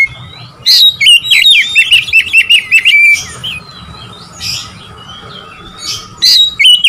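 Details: Oriental magpie-robin singing to provoke rivals: harsh, scratchy notes lead into a rapid series of looping whistled trills. A quieter pause with soft distant chirps follows, then another burst of loud whistles.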